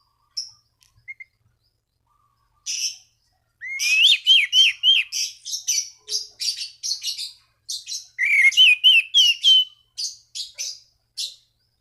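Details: Orange-banded thrush in vigorous song aimed at rivals, meant to prompt other thrushes to sing: a long run of rapid buzzy notes and repeated looping whistles, with a short pause midway.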